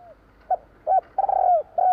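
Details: Spotted dove in the 'kuk 3' style: two short clipped coos lead into a long vibrating coo that slides down, then another coo starts. The recording is loud and close.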